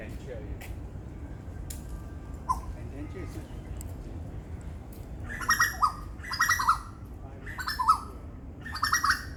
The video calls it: Asian Koel ( Eudynamys scolopaceus )..also makes other sounds